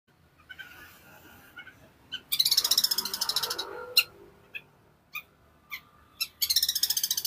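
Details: Long-tailed shrike from East Java, Indonesia, singing in the fast, dense gacor style: harsh, rapidly pulsed rattling bursts with scattered short sharp notes between them, and a faint background hum.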